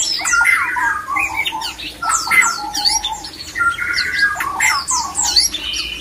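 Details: A male white-rumped shama in breeding condition, whose song is used to stir other shamas into breeding. Loud, rich, varied whistles and sliding notes overlap in dense phrases, with a steady low hum beneath.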